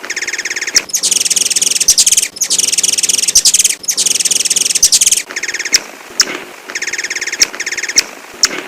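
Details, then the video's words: A hummingbird gives very high, thin, rapid chirps in dense bursts of a second or more, with brief pauses between and no other sounds. "Kicau Burung Kolibri - Chirp of Bird"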